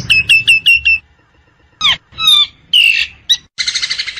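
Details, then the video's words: Wild Nias hill myna: a quick series of five loud, clipped metallic notes, a pause, then varied whistles, a slurred squawk and a final harsh, buzzy rattle. "JALAK NIAS di Alam Bebas || Suara Jalak Nias"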